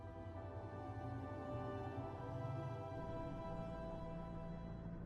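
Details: Quiet, steady ambient music with sustained low and mid tones and no other sounds.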